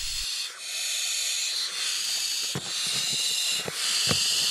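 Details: Five barn owl chicks of different sizes, filmed in June inside an attic-wall nest in a village house beside hay meadows, hiss in loud, breathy, overlapping rasps that swell and fade every second or so, with soft thumps and scrapes beneath.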